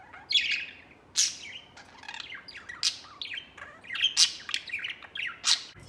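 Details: White male budgerigar out of its cage, playing and flying over it as a pet; lively warbling chatter with repeated sharp, high chirps scattered throughout.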